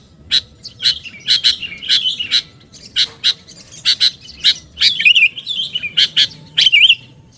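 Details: Lure call of a sooty-headed bulbul, meant to pull in other birds: a busy run of sharp chips and short bursts, broken by brief pauses and two wavering, bubbling warbles near the end.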